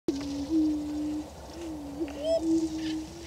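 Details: Greater prairie chickens displaying for breeding territory on a lek in Washington County, Kansas: a steady, low hooting drone holds for over a second, breaks, then resumes, with a brief rising whoop near the end.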